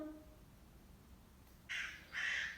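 A crow gives two harsh, hoarse caws in quick succession, each about a third of a second long, after a quiet stretch with faint background hiss.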